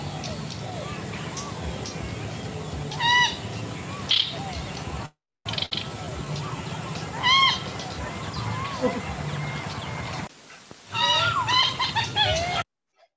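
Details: Male Bronze-winged Jacana singing to attract a female during breeding, India: bursts of loud stacked nasal notes around 3, 7 and 11 seconds over a steady background chorus of insects and other calls, with a brief silent gap near five seconds.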